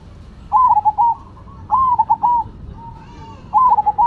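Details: Zebra dove song from a Cemani versus Silver pairing; three rolling coo phrases, a drawn-out first note followed by rapid stuttering beats, with a soft lower coo between the second and third phrases and low background rumble.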